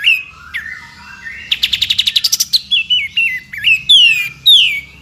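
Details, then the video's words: Training recording of white-rumped shama tembakan for a champion bird's song: low rising whistles, a quick string of about eleven staccato notes, then varied stepped and swooping whistles, with a faint low hum beneath. "MASTERAN TEMBAKAN YANG WAJIB MASUK KE ISIAN MURAI BATU JUARA"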